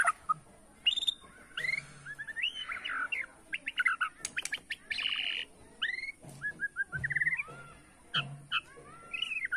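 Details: White-rumped shama, Borneo type, singing in the bowing style to unsettle rivals: a jumble of sharp chirps, upslurred whistles and squawky notes, scattered irregularly, with a faint low hum behind.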